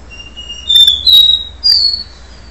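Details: Capuchino seedeater singing in the do-re-mi song style before its moult: three clear high whistled notes, each held steady or gently sliding, in a short rising-then-falling sequence over a quiet low hum.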